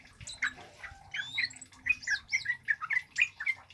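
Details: Male orange-headed thrush singing a loud cabe-cabean bunga api style song meant for luring and tutoring birds; clear separated notes, squeaks and short slurred whistles follow each other rapidly, about four per second.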